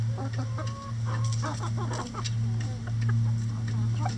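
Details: Chickens in a coop run pecking apart a hanging cabbage ball, giving soft short clucks and brief murmured notes repeated irregularly over a steady low mechanical hum, with light pecking taps.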